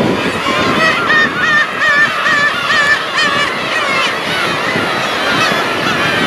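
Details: Large flock of black-tailed gulls giving mewing "nyaa nyaa" cries: many overlapping nasal, wavering mews, some clearer drawn-out calls standing out, in a continuous loud chorus.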